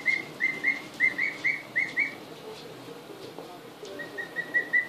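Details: Newly arrived two-week-old emu chicks seeing the house for the first time, February 2013, give short level whistled peeps in a quick series of about eight, then a pause, then another softer, slightly lower run.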